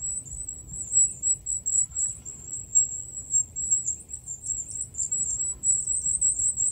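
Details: High, thin, shimmering song of a wild goldcrest: fast repeated tiny notes in cycling phrases, steady and unbroken throughout, against faint low noise.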